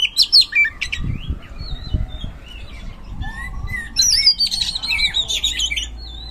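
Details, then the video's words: Oriental magpie-robin in gacor ngeplong style, played to draw out lazy magpie-robins: scattered high chirps and short whistles, quieter through the middle, then a burst of rapid wavering notes near the end over low background rumble. "Pancingan Kacer Gacor Ngeplong | Cocok Buat Memancing Kacer Yang Malas Bunyi Auto Respon"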